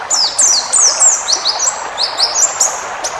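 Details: Short burst of wild-type white-eye song used to tutor cage birds: a fast series of high, thin downslurred whistles and chirps, tightly packed and sweet in tone.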